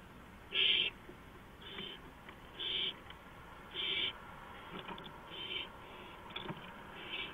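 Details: Owl on a porch at 2:05 AM, April 5, 2015, with a series of short hissing rasps that fade from loud to faint over a steady background hiss.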